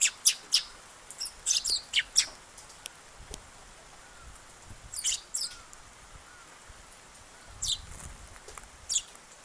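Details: First sparrow arriving on 8 August, watched until it left: bursts of shrill, high chirps, several rapid notes early on, then paired chirps after a quiet gap and two spaced single calls near the end.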